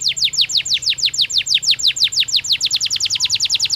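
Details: A canary in a cage during breeding season repeats clear, steeply descending whistled notes in an even rhythm, about seven per second, throughout.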